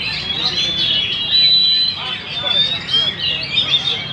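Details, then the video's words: Short burst of gacor magpie-robin song at Banjar Indah, consisting of sharp high whistles and overlapping chirps in quick succession, louder in the first half. "Burung murai Gacor di Banjar indah"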